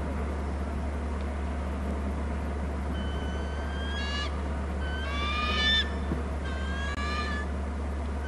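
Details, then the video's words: Bald eagles at a nest and territory camera on Hornby Island, calling between the nest and the territory: three bursts of high, harmonic, chattering notes with short rising tones, over a steady low electrical hum. "hearing eagles call; from the right one to nest and other to wa cam"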